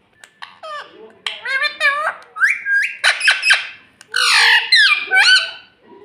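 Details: Talking pet rose-ringed parakeet, known for saying "mummy", in a small room. Continuous strained, nasal, speech-like syllables with rising and falling inflections run for six seconds, punctuated by brief squawky notes.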